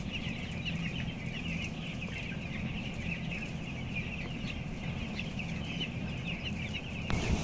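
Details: Broiler chicks at 14 days, 525 grams, among 11,000 birds on a closed house's upper floor; constant overlapping high cheeps with a loud low hum, and a sharp knock near the end.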